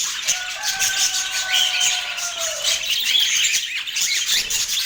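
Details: Budgerigar in Portland chirping in a dense, fast chatter of short high twitters and squeaks, with a steady low droning tone underneath through the first three seconds.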